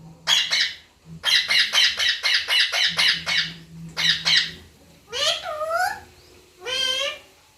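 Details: Parrot repeating "papa": a steady series of about ten short, harsh, evenly spaced syllables, then two longer wavering, sliding voice-like calls, with a low background hum.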